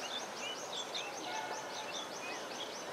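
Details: Purple swamphen chicks at the Musi river, Attapur, Hyderabad, India, in January 2012, give thin, high peeps about four times a second, with scattered whistles and a steady background hiss.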